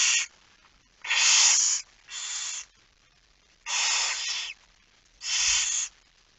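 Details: Barn owl at the nest during a night-time feeding, 10 September 2019 at 22:45. Loud, airy screeching hisses, each under a second, repeat irregularly about every one to one and a half seconds.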